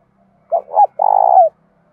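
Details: A spotted dove gives a loud, clear fighting and calling coo in the thổ voice style: two short mellow hooting notes, then a longer, slightly purring, sustained coo that drops at the end, all low-pitched.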